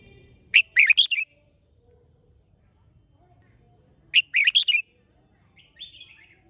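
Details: Red-whiskered bulbul in competition singing (chào mào hót đấu), repeating a bubbly phrase of about five fast whistled notes roughly every three and a half seconds, with a softer, falling high note near the end.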